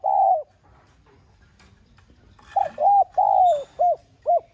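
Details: Spotted dove calling urgently in the 'son' voice to excite other doves: one long mellow coo, a pause, then a quick run of four short hooting coos over soft background hum.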